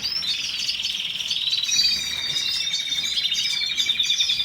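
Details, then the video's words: Canary song: a dense, unbroken stream of high rapid trills and chattering rolls, interwoven with thin whistled strands and steady fast pulsing, bright and loud throughout. "کەناری الكناري canary bird"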